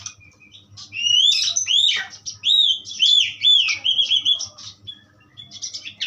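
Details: Asian pied starling singing pastol style, a run of clear swooping whistles that rise and fall in loops, with interspersed chatter, then tapering to faint clicks.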